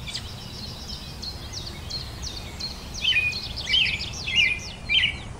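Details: European robin song: a run of quick high descending notes followed by several louder warbling, liquid phrases in the latter half, over a constant hiss.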